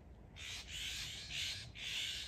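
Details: Florida scrub-jay, one of several active birds flying back and forth at Canaveral National Seashore, Florida, gives three harsh, raspy, crow-like squawks in quick succession, each about half a second, with a faint steady hiss behind.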